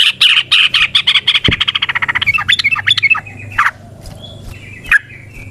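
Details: Yellow-vented bulbul in long 'ropel panjang' style song: a dense, fast chattering rattle of harsh notes lasting about three seconds, followed by a few separate sharp calls and faint whistles.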